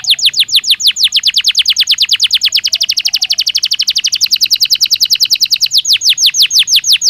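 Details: Belgian canary singing naturally, a long fast trill of bright downward-sweeping notes, about three per second, steady and loud throughout, with a faint low hum beneath.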